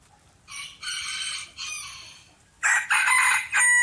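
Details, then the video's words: Rooster crowing in harsh, strongly harmonic bursts: two sustained calls, then louder overlapping crows close together near the end, with brief gaps of quiet between. "Rooster crowing compilation plus Rooster crowing sound effect"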